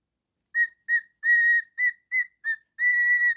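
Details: Whistling male pet cockatiel: after a half-second of silence, seven clear notes, short ones interspersed with two long steady held whistles, the last one sustained.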